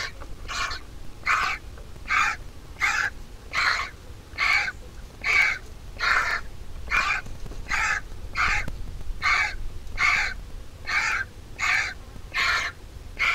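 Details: Vulture chick in the nest calls insistently while its mother feeds it, around seventeen harsh, clipped squawks repeated a little faster than one per second, rhythmic and even, over quiet low noise.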